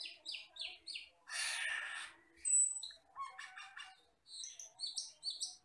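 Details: Common hill myna, a shy forest bird, black with red eyes, recorded to train other birds. Short squeaky chirps, a long harsh screech, one piercing pure whistle, then rapid clipped high notes.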